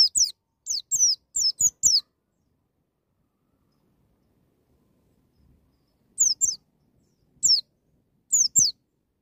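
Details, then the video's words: White-eye in wild singing style, meant to provoke young birds to open up: a quick cluster of high, falling whistled notes, then long silences broken by isolated pairs of the same thin notes. "BURUNG PLECI NGALAS NEMBAK,MEMICU PLECI BAHAN CEPAT NGALAS BUKA PARUH"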